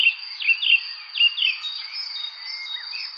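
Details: Bird chirping in quick bursts: sharp downslurred chirps in close succession during the first second and a half, then softer scattered twitters, against an unbroken shrill high hum.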